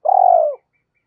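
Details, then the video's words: Spotted dove call used as a lure to make other doves call: one long, even, trilled coo, about half a second, low and steady before fading, then silence. "Tiếng chim cu gáy kích bổi hiệu quả mỗi ngày mở là gáy"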